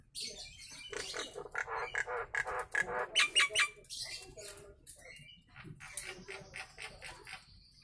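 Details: Nias hill myna, original voice for training other birds: rapid nasal chattering notes about twice per second build to a few loud clipped squawks with whistles, then softer scratchy notes trail off.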